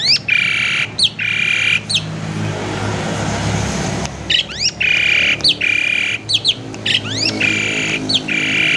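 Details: Varied lure song from a captive Asian pied starling: loud, harsh rasping blocks with a whistled tone inside them, alternating with quick sharp clicks and chirps, and one brief noisy gap.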